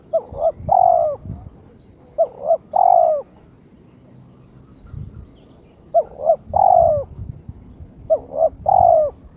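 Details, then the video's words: A spotted dove in breeding condition calls to challenge a rival with four low, mellow cooing phrases, each two quick hoots and a longer drawn coo, roughly every two to four seconds. "TERKUKUR TOKCER SUARA KRISTAL MENGUNDANG LAWAN/My turtle dove chirps challenging its opponent"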